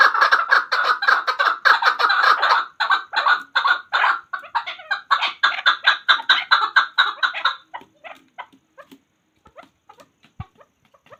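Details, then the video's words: Hunter chakor (chukar partridge) calling in a rapid run of chattering, clucking notes, more than two per second, loud for several seconds, then thinning into scattered softer notes and clicks near the end. "Chakor Ki Awaz. Hunter Chakor sound."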